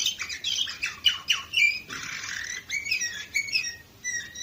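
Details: Canary singing in Varna, Bulgaria, in 2018: a fast run of high chirps and sweeping notes, then a buzzy rolled trill and clear whistled phrases.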